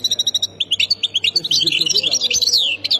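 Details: Goldfinch, Khemis Miliana sector song, Ain Defla, Algeria: quick tinkling single notes speeding into a dense, buzzy twittering flourish, bright and high-pitched throughout, with a soft low hum underneath.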